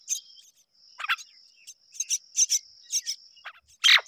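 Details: Myna parents rearing their babies as a pair. Short rasping chirps arrive in pairs and small groups, ending with a loud, rough burst of scratchy notes, while a thin high tone runs steadily underneath.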